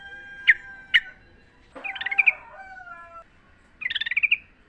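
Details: Wild sooty-headed bulbul song used for training caged birds: two sharp isolated notes, then a rolling bubbly phrase over steady tonal whistles, and a final short chattering burst.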